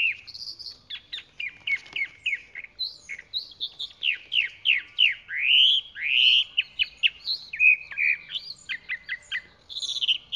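A Chalk-browed Mockingbird sings a rich, varied run of whistled slurs, rising and falling notes and quick chattery phrases, changing motif every second or so.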